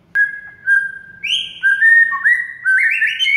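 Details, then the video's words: White-rumped shama song played as masteran for a mute bird: a clear sustained whistle, short whistled notes at stepped pitches, then an ascending run of rippling, warbling phrases. "DALAM HITUNGAN DETIK MURAI BISU AUTO GACOR DOR DENGAR MASTERAN SATU INI"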